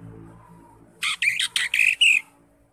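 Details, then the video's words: Greater green leafbird singing in the ngekek style: a quick run of five or six buzzy, harsh high bursts packed into about one second, then silence with faint low background hum. "CUCAK IJO SUPER NGEKEK"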